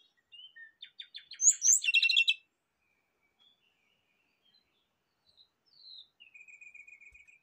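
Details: Rufous-chested flycatcher phrase played as a lure to start a kept bird singing: a rapid series of short high ticks building into a loud, bright flourish of warbled whistles, then quiet, ending with a soft dry trill.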